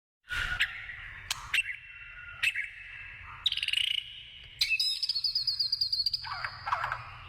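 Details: White-rumped shama singing in the wild: varied whistled phrases with sharp clicks, steady tones, a rapid buzzy trill and a high run of repeated notes near the end.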